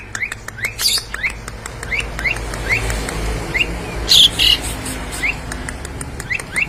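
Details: Javan pied starling imitating various birds: a repeated series of short upward-slurred whistles, roughly every quarter second, with a louder burst of harsh notes midway and background rumble.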